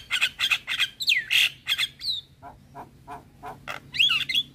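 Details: Javan myna in a chatty tutoring recording for caged starlings, mixed with other starlings: rapid harsh squawky notes and a rising whistle, then a string of soft low clucks and a final squeaky flourish.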